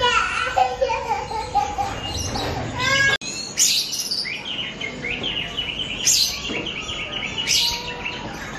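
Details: Oriental magpie-robin (Copsychus saularis) song: a rich, varied run of clear whistles, sweeping notes and chattering phrases, dense at first, then resuming after a short break.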